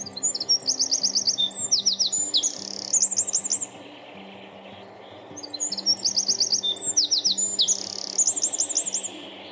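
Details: A Eurasian wren that was building a nest in the UK gives two loud, high, rapid song bursts of about three seconds each, made of fast trills and tumbling notes, over soft background music.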